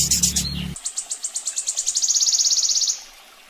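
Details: Sogon song from a master track for training birds: after a short loud burst with low hum, high piercing notes repeat and steadily accelerate into a fine, level trill before fading.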